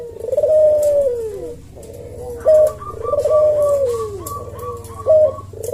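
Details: A caged Javan collared dove coos 'kuk deruk' in the slow 'senggang' manner used to train cage birds: paired phrases of a rolling drawn-out coo falling away, then a sharp short note, with a steady low hum behind.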